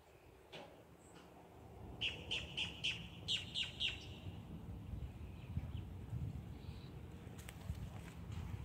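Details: Boat-tailed grackle calling on October 17: a burst of about seven short, harsh, clipped notes in quick succession, about four per second, then quiet, over a steady low rumble of outdoor background noise.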